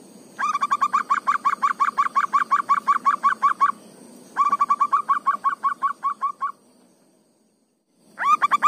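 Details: Zebra dove, local type, natural ngayer negel song: two runs of quick, repeated hollow coos at an uneven tempo, separated by a silent break, then a new run starting at the end.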